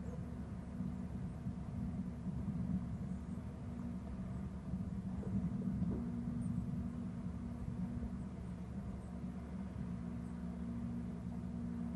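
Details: Steady low engine-like rumble, as from a passing vehicle or aircraft, with no clear animal calls.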